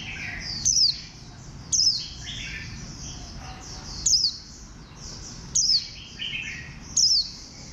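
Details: Caged warbling white-eye of bantam-like build giving five piercing, high, downslurred notes roughly every one to one and a half seconds, over a continuous background of faint, thin, chattering warbles.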